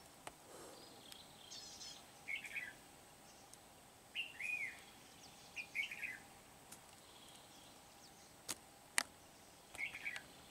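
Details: Caged Red-whiskered bulbul acting as a decoy for trapping wild bulbuls at Kim Bôi, Hòa Bình, Vietnam, 8 September 2019; brief bright warbled phrases spaced a second or two apart, with occasional sharp clicks.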